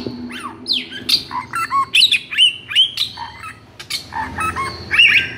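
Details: White-rumped shama in loud, agitated song, used to coax silent shamas to sing: varied phrases of sharp downward whistles, harsh squawks and quick chips, repeated in short bursts about twice a second over a faint low hum.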